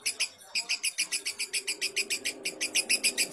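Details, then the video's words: Lovebird song meant for training other lovebirds toward varied singing: fast, even series of shrill high chirps, roughly three per second, over a faint low drone. "Masteran Ampuh Burung Love Bird"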